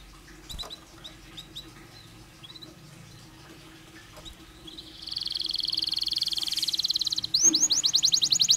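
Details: A canary, sung to stimulate other canaries, is quiet at first with scattered soft notes. It then rises into a steady high rattling trill and a series of quick looping whistles.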